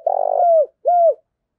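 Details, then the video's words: Spotted dove decoy bird cooing in the morning to lure wild doves: a low rolled, tremulous coo, then a short pause and a smooth falling coo. "Tiếng Chim Cu Mồi Gáy Gọi Bổi Buổi Sáng, tiếng chim cu gáy hay"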